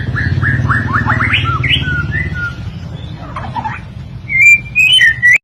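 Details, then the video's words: Song of a white-rumped shama from a master recording for teaching songbirds: a series of upward-sweeping whistled notes, a pause with faint chatter, then loud sharp high whistles at the end, with a constant low hum behind. "kicauan murai batu Miwah masteran burung"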